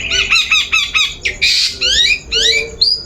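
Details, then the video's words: Long-tailed shrike lure sound, used to coax a bird into singing: rapid chattering series of short harsh notes, then a burst of rasping noise and several quick rising whistled sweeps, loud and close, with a faint low background hum. "Suara Pancingan Burung Cendet"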